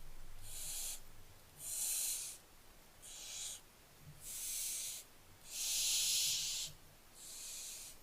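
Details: Barn owlets on 15 July 2024 give harsh, breathy hisses: six rasping bursts in eight seconds, each under a second long, over a faint low rumble.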